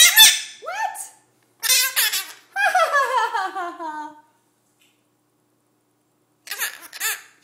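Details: A pet Hahn's macaw (red-shouldered macaw), a male, chatters at whoever will listen in shrill, squeaky, speech-like bursts with sliding pitch: several quick phrases, a pause, then one more short outburst.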